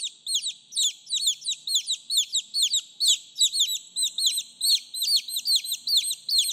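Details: Chicks peeping to call their mother: clean, shrill, falling whistles repeated roughly twice a second in uneven bursts from more than one chick, with almost no background noise.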